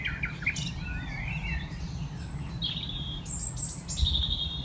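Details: At night in May 2018 a Common Nightingale sings below a tree platform on a rewilded former farm at Knepp, West Sussex. Varied warbling whistles give way to high pure sustained tones and long level whistled notes, with low background rumble.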